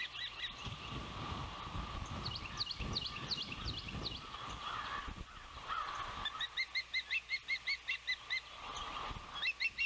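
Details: Osprey at a nest near Savannah on a windy June 12, 2021, during the oldest chick's first fledge. Wind roars at first, then a run of sharp, high whistled chirps repeats quickly and evenly in the last few seconds.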